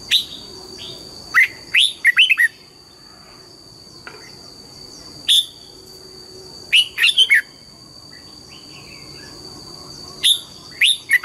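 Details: Red-whiskered bulbul singing in the morning, trained for double notes: repeated bursts of two to four bright, warbling whistles separated by pauses of several seconds, with scattered single notes and a constant high electronic whine.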